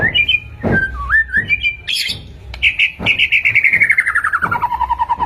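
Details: White-rumped shama song played to caged birds: twisting whistled notes and a burst, then a long rapid trill stepping down in pitch, over low background hum.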